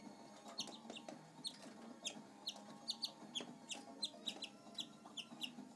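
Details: Pet canary, a shy male that follows people around, giving a series of short high chirps and tweets repeated about twice a second over a steady low indoor hum.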